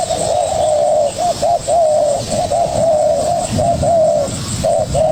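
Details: Spotted dove, a young bird, dueling with a decoy: low, hollow coos run together in long phrases broken by short, separate notes.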